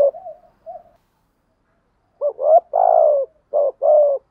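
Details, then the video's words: Decoy-style 'gù thúc' cooing of a spotted dove, meant to provoke wild doves: soft short notes, a silent gap, then a loud phrase of paired notes, a long sliding coo and two more clipped notes. "Tiếng chim cu gáy gù thúc bài bản, tiếng chim cu gáy kích bổi và tập mồi"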